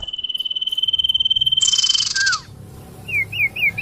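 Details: Common iora lure call, used to attract birds: a steady trill of rapidly repeated notes lasting about two seconds, then a harsh noisy burst with a falling whistle, followed by three short up-and-down whistled notes.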